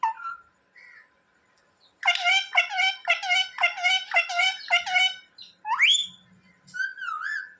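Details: Talking pet parrot indoors, known for saying "mummy" and "papa": brief whistled notes, then a fast burst of about seven evenly repeated harmonic syllables, a sharp rising squeak and a wavering whistle.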